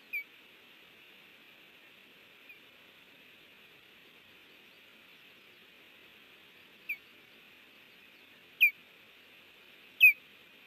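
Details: Osprey at a nest camera at Hellgate, Montana, on 30 June 2019 near 10:55, as a stranger lands and another passes by. A few sharp, downslurred whistled chirps, faint at first and louder near the end, over a steady electronic hum.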